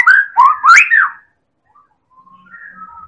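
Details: Medan white-rumped shama, a champion lure singer for prompting other birds: a loud second-long run of rising and falling whistles with clicks, then faint thin level whistles.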